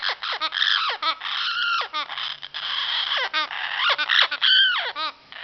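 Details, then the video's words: Female amazon parrot calling, something that happens only in spring: harsh, nasal, arching calls with many harmonics, some drawn out and rising then falling, in irregular bursts. "amazon parrot talking"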